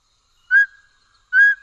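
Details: A Mountain Scops Owl (Taiwan endemic subspecies Otus spilocephalus hambroecki, of dense mid- and low-altitude woods) gives two clear, mellow whistled notes, evenly pitched and spaced under a second apart, against a quiet background.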